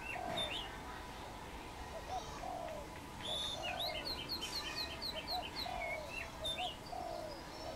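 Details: Wild dove perched on a tamarind branch, a Khmer bird, giving low soft coos repeated every second or two, while other birds chirp and whistle in higher, quicker notes throughout.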